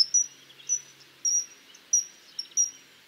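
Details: Common kingfisher repeating a thin, sharp high whistle about every half second, each note brief and slightly falling, over a faint background hiss.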